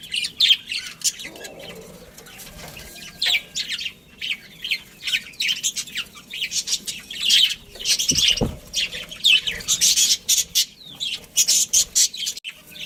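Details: Pet budgerigar colony with a breeding pair: busy, high, rasping chirps and warbled squeaks from several birds. Chatter builds toward the end, with a short wing flutter midway.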